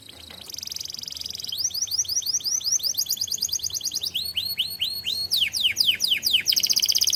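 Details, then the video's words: Canary singing an emotional lure song in the 'cuit cuit nembak' style, meant to teach young canaries to learn sounds: a buzzy high opening, then fast trills of repeated curved, swooping notes changing type every second or so. "PANCINGAN Kenari GACOR EMOSI,CUIT CUIT NEMBAK ampuh buat KENARI PAUD belajar BUNYI"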